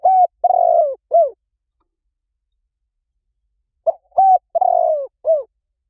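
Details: Spotted dove cooing, played as a quick-acting lure: two matching phrases about four seconds apart, each a clipped coo, a level coo, a long rolling falling coo and a short slurred final note.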